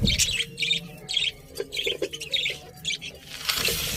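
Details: Budgies giving rapid high chirps and warbling notes in quick succession, with a faint low background hum.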